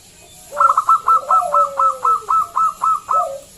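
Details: Local zebra dove used as a lure to draw other doves into singing, giving a loud, strong voice: a fast series of about ten bright, clipped rising notes near four per second over a lower, drawn-out descending coo.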